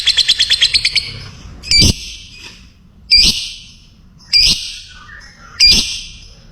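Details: Lovebird recorded as training sound for other lovebirds: a brief burst of rapid chirps followed by four loud, harsh screeching squawks spaced roughly every one and a half seconds.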